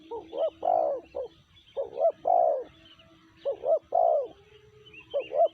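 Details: Spotted dove (tekukur), BL type with a 'sanji' voice, delivering low, rounded coo phrases with short rising lead-in notes before a longer swelling note, repeated four times over roughly five seconds with faint noise behind.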